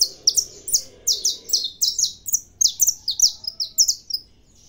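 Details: Captive saffron finch sings a lively, continuous string of bright high chirps, many notes in quick succession, over quiet background.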